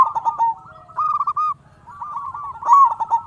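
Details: Indonesian local zebra dove in full voice, used as a lure to stir other zebra doves to sing. Staccato coos run into bubbling, rolling trills that repeat across the clip, with a low murmur beneath.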